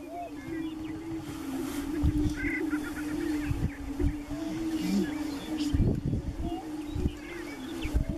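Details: Several Greater Prairie-Chickens booming on a spring mating lek in northeast Nebraska: a steady, low, hollow moaning drone, with higher cackles and whoops breaking in and dull thumps of wind.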